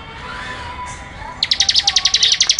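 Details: Bar-winged prinia singing a fast, high-pitched series of sharp repeated notes, about a dozen evenly spaced pulses, bursting in after a quiet start with a soft low hum.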